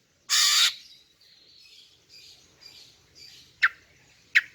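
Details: Greater green leafbird female calling to draw in males. One long, loud, grating rasp opens, followed by soft buzzy warbles and two short sharp ticks near the end.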